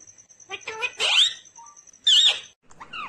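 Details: Green Indian ringneck parakeet talking: short bursts of high, buzzy, speech-like syllables with quick wavering squeaks, separated by brief pauses and a faint steady high tone.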